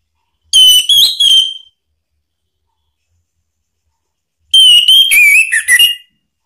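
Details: Orange-headed thrush singing, played to provoke other thrushes to answer: two loud whistled phrases of about a second each, separated by a three-second pause, the second phrase wavering and dipping lower toward its close.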